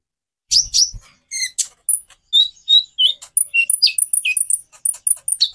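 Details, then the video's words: Konin sunbird song used to prompt other birds to sing: a fast, varied run of high, sharp whistled notes and thin, clear tones, getting denser and repeated quickly toward the end. "Variasi kicau burung Konin bikin burung lain gacor"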